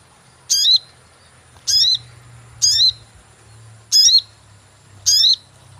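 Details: Lure call of the sogon for bird catching: five bright, high chirps, each dropping quickly in pitch, spaced roughly every second, over a faint low rumble.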